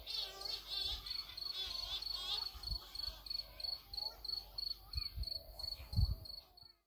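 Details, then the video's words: At night in July 2020 on Flores Island, Azores, Portugal, a Cory's shearwater (cagarro) gives wavering, wailing calls that are strongest early on. A rapid, evenly pulsed insect trill continues throughout, with soft low thumps. "Cagarro or Cory's shearwater | Weird Sounding Night Bird on the Azores"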